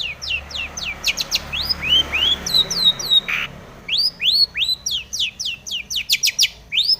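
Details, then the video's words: Long-tailed shrike song packed with mimicked tomiceng phrases, used as a lure to make other shrikes sing: fast series of sharp upslurred whistles, steadily repeated, with some higher slurred notes and a brief harsh burst midway. "SUARA cendet gacor full isian TOMICENG pancingan cendet agar bunyi"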